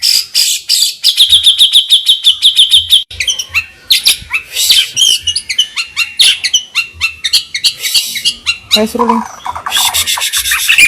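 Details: Caged white-rumped shama (murai batu) in full vigorous song, used as a lure to provoke rivals, with rough rolling bursts: loud, varied high phrases, a quick run of repeated clear notes, sharp chattering strokes and scratchy trills, with faint low hum beneath.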